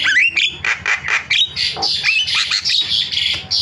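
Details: Starling lure sound for getting other starlings to call: dense harsh screechy bursts overlapping with thin high whistles, continuous and noisy for several seconds.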